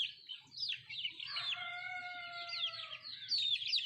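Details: Country chickens (nattu kozhi) eating; high chirps open and close the stretch, while a drawn-out, steady, slightly falling tonal note sounds through the middle over a faint low hum.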